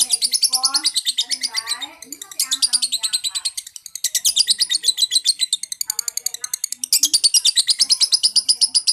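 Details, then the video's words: Lovebird singing in the Indonesian liyer konslet style, a long unbroken run of high, rapid chirps at roughly three per second, briefly softer near two seconds, with faint lower-pitched sounds underneath. "tetap liyer konslet , tetep konslet liyer-liyer dengan tambah durasi"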